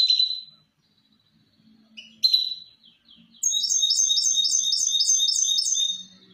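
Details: Hybrid misto training song for fledglings: clear whistled notes and a short chirp, then a long, regular string of repeated rolling notes, several per second.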